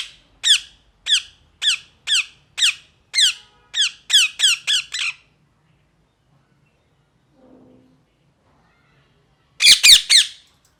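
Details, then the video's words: Parrot chirping: a run of about a dozen harsh, high, downward-sweeping squawks repeated about every half second, speeding up near the end, then a pause with a faint low noise, followed by a quick burst of three more squawks. "Parrot Chirping Sounds | Natural Parrot Sounds | Parrot Calling Sounds"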